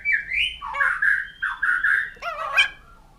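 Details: Poksay jambul putih, the white-crested laughingthrush, giving a short run of fluty, slurred whistles that rise and dip, followed by a rough, rising squawk.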